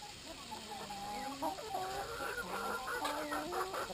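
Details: Brahma chickens gathered at drinking time cluck and chatter in a busy stream of short, overlapping calls, some rising, some dropping, from several birds at once.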